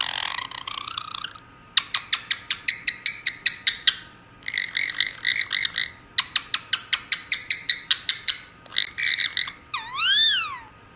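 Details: Female pet Indian ringneck parakeet making cute noises and giving kisses, copying a conure's frog-like sound: rapid trains of clicky, croaking pulses in bursts, a raspy opening note, and a final wavering whistled warble.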